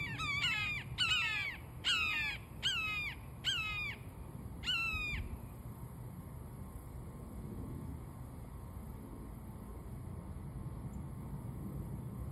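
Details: Recently fledged young Red-shouldered Hawks give six harsh, downslurred screams, about one every second, on 13 June 2023; a low rumble of wind or distant traffic continues after the calls stop.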